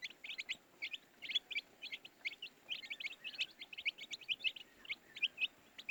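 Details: High thin peeps from a group of baby chicks, steady bursts of short chirps coming several per second without pause.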